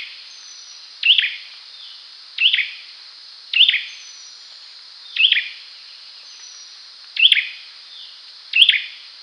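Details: Olive-backed sunbird giving a series of six sharp high chirps, each a short bright burst, spaced about one to two seconds apart over a steady hiss.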